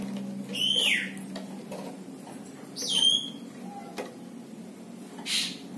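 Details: Tame plain prinia, a small brown bird known locally as flamboyan, wergan jawa or mlinjon, giving its distinctive chattering crecetan: two sharp, high downslurred chirps about two seconds apart, with a low indoor hum beneath.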